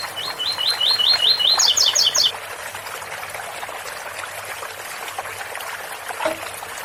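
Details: Double-collared seedeater singing an 8x4 - 7x4 style phrase beside a water fountain: about seven quick repeated high notes then four sharper higher notes, followed by several seconds of trickling water.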